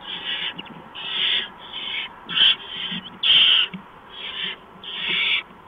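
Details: At a barn owl nest on a March night, prey delivery of a mouse; harsh hissed screeches in an uneven series, some brief and some longer and louder, with soft shuffling sounds.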